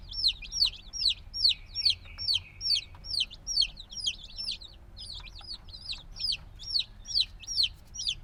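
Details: A brood of black baby chickens hatched a few days earlier keeps up bright, high, falling peeps in fairly regular bursts, about two or three each second, over a faint low rumble.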